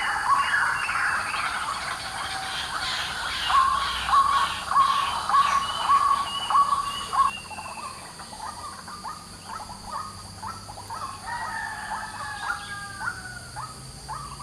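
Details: Morning calling of a white-breasted waterhen: strong, evenly spaced harsh notes about every half second, then a busier, shifting run of notes as the sequence continues, with faint insect drone.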